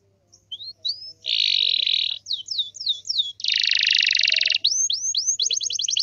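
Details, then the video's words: Canary singing a lively master song intended to prompt other canaries to respond, with upslurred whistles, dense buzzy rolling trills, fast series of descending sweeps and a closing rapid chatter of repeated notes. "SEKALI PUTAR KENARI LAIN PASTI NYAUT"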